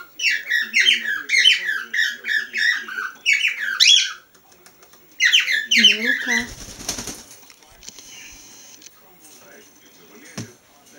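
A whiteface cockatiel whistles a quick run of bright, warbling notes that rise and fall.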